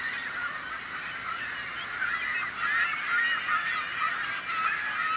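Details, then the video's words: Seagulls making as much noise as possible to frighten off prospective predators, human or bird; many birds call over one another in a steady din of harsh, harmonic squawks with no pause. "The Sound of Seagulls | Why Are Seagulls So Noisy?"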